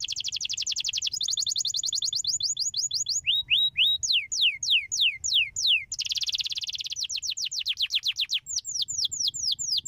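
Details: Canary singing to stimulate other canaries: dense rapid trills alternate with series of rising and falling whistled notes, a buzzy burst near the middle, then more sweeping descending whistles.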